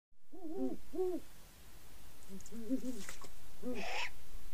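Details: A pair of great horned owls (Bubo virginianus) give deep, soft hoots in short rhythmic bursts, two voices at slightly different pitches, with a couple of brief scratchy noises.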